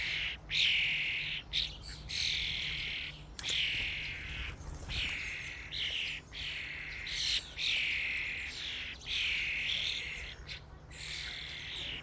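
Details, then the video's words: At a feeding station, many common starlings chatter almost without pause: buzzy, scratchy phrases with thin whistled squeaks mixed in, over a low background hum. "Starlings invasion at the feeding station | Staren Invasion an der Futterstation"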